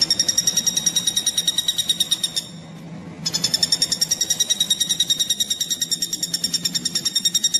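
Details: Common flameback (pelatuk bawang) heard on a tutoring recording for songbirds: a quick, steady rattle of nasal notes, broken by a silent gap of under a second, then resuming at the same pace of about seven per second.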